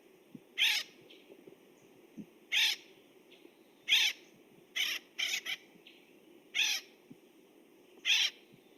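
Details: An Acorn Woodpecker gives its typical harsh, nasal, raspy calls, about seven in nine seconds at uneven intervals, some in quick pairs, over a low steady hum; a social, vocal species whose distant calls can be confused with Pinyon Jay.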